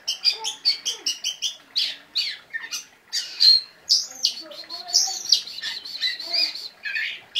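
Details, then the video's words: Oriental magpie-robin singing with sharp bursts: quick repeated chirps at a steady pace open the phrase, followed by a loud whistled slur and a busy run of varied twittering and buzzy notes. "kacer gacor tembakannya pedas"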